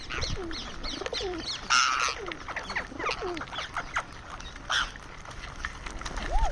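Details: Indian ringneck parrot calling while eating: rapid strings of small chirping, chattering notes broken by a few louder harsh squawks, with some background voices.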